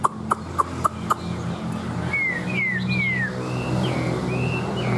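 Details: Caged, tame Chinese hwamei kept as a pet bird: after a run of sharp knocking clicks, clear whistled slurred notes sweep down and up in quick succession over low background hum.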